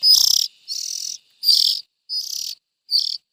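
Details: Five loud, harsh, buzzy rasps from young bulbuls, evenly spaced and separated by silence, with a low thud under the first.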